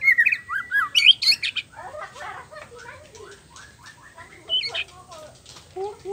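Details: White-rumped shama song used to spur other males to sing: loud twisting whistles and sharp notes at first, then a softer stretch of quick chattering and mimicked phrases, with a steady faint hum behind.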